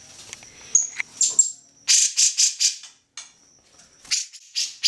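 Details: Grey-cheeked bulbul song used to tutor other songbirds like magpie robins; high whistles mixed with rapid harsh, rattling chatter bursts in quick succession, separated by short quiet gaps.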